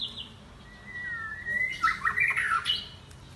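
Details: White-rumped shama song with continuous voice changes: a thin, drawn-out whistle followed by a burst of harsh, squawking, scratchy notes in a varied forest-style phrase.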